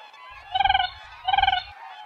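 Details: Two rapid rolling calls from a Siberian crane, each a half-second burst of quick stuttered pulses with rich ringing harmonics, separated by a brief pause.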